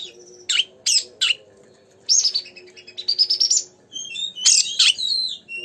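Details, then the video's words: Oriental magpie-robin (kacer) singing vigorously as bait to excite another magpie-robin. Three harsh clipped notes are followed by a rising series of rapid whistled notes and a final scratchy flourish, over a low hum. "pancingan burung Kacer gacor"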